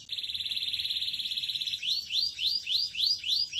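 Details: High, evenly pulsed canary trill lasting nearly two seconds, followed by a string of swooping upward whistles repeated about three times a second.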